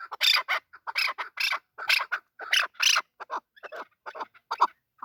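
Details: Male chukar partridge uttering loud, rasping, broadband notes in uneven bursts, some paired, fading into softer chucks toward the end.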